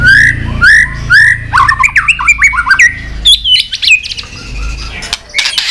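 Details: White-rumped shama, fired up and flicking its tail, in intense competition singing with many forest-style phrases: loud whistled slurs rising near the start, then a fast run of varied sharp notes and chattering twitters, with a faint low hum underneath.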